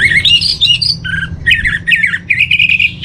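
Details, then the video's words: Orange-headed thrush training master song: a continuous dense warble of varied whistled and buzzy notes, rapidly changing pitch with little pause. "Menstabilkan Burung ANIS MERAH Dirumah Baik EMOSI & Birahi dengan Mendengarkan Kicauan Masteran ini"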